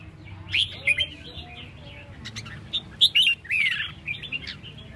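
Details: Red-whiskered bulbul giving lively song: scattered sharp chirps and slurred, warbling whistles in short bursts, separated by brief gaps, with faint low background hum.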